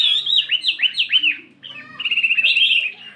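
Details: Chinese hwamei, a 72-gram fighting bird, sings during morning voice practice in a voice-switching style. Four or five strong looping whistles come first, then a short soft gap, then a fast trilled, buzzy whistled run.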